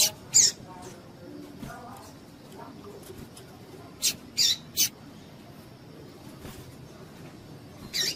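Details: A female double-collared seedeater gives calls meant to stir up males; brief high-pitched chips come singly and in a quick cluster of three, separated by long quiet gaps with faint low hum.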